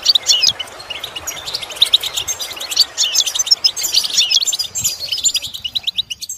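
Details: European goldfinch singing, recorded for lessons that teach goldfinches to imitate sounds: rapid liquid twitter of high chirps and quick trills in dense bursts, easing into sparser clicking notes near the end.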